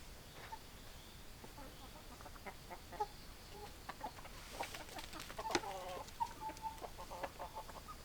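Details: Chickens clucking in a quiet yard: soft, short, low clucks scattered throughout, building to a busier burst of overlapping clucks and squawky notes near the middle, then easing back to sparse calls.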